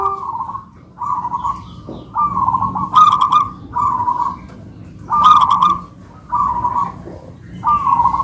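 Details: Two local-type zebra doves in a manggung duet. A dense series of trilled, burry coo phrases repeats about every second, with brief sharp clicks in between, over low background hum.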